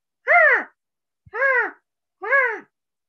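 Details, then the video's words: Red-shouldered Hawk, a year-round resident backyard bird of North Texas, gives three loud, ringing, slightly down-slurred kee-ah notes about one per second, with a brief soft click before the second. "a call that sounds like this"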